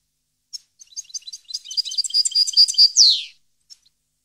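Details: Goldfinch recorded in 2015 in Parva: scattered high tinkles build into a dense twitter and trill, closing with a buzzy descending note and a couple of soft chips.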